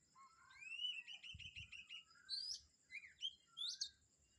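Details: Morning birds at Kamphaeng Saen call in overlapping voices. A fast, even run of chirps is followed by sharp upswept notes and soft whistles, with low thumps early on and a steady hum behind.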